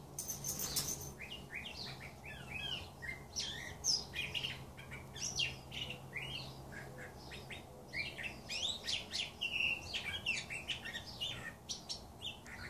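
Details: Several birds in an Arizona desert back yard sing a dense, overlapping chorus of rapid chirps, trills and short whistles, with a faint low hum during the first part.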